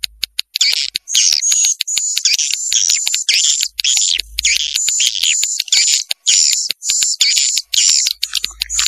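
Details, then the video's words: Swiftlet lure call, Vietnam 'janda' type: continuous rapid chittering trills at high pitch, laced with steady sharp clicking and a few short pauses. "SUARA WALET JANDA VIETNAM"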